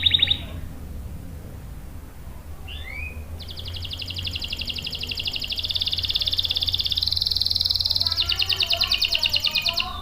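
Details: Canary song used as lure and master for young or silent males: a brief trill, a soft upward slur, then an extended rapid rolling trill that changes pitch twice, over low background rumble.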